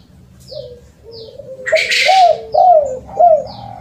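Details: Spotted dove lure call of the kuk 2 and kuk 3 type: drawn-out soft coos build into three louder arched notes, a loud rustling burst in the middle, and faint high chirps of another bird behind.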